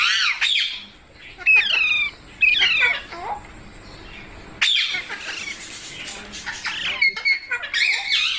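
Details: A green parrot, mitthu or tota in local speech, produces high harsh screeches and falling rasping notes in separated bursts, with quieter gaps between the loud outbursts.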